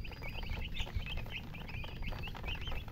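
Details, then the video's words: Chicken chicks chirping: a rapid series of short, high, bouncing peeps, several per second, from more than one bird, over a steady low rumble of background noise. "MURGI Baby "Chicks Chirping" Sound"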